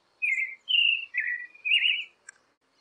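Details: Creamy-bellied thrush singing, a recording meant to get captive birds singing: four drawn-out slurred whistles that run into one another, ending with a faint click.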